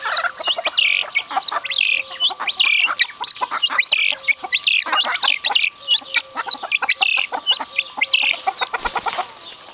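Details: Group of vulturine guineafowl calling together: a dense, continuous chorus of sharp clucks, chattering notes and short metallic chinks, overlapping throughout with high squeaky notes mixed in.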